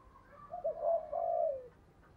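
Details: Spotted dove in the thổ voice style, suited to decoying: one phrase of a short coo followed by two long, mellow, low coos that fade out, with background hiss.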